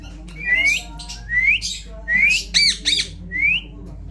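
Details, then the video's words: Indian ringneck parrot talking in a string of rising whistled phrases about once a second, broken by two short looping nasal squawks, indoors. "অসাধারণ কথা বলে চন্দনা টিয়া"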